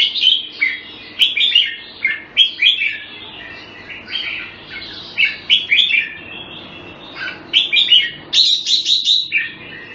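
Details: Red-whiskered bulbul, the jambul, on special bird food, singing short repeated warbled phrases roughly every second, then a fast burst of five bright high notes near the end, with faint low hum.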